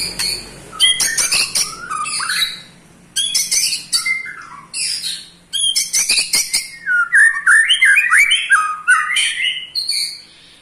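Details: Eight-month-old white-rumped shama delivering its ketrekan to excite other shamas: rapid rattling bursts of high notes in several runs, separated by short gaps, followed by a cascade of quick stepped whistles.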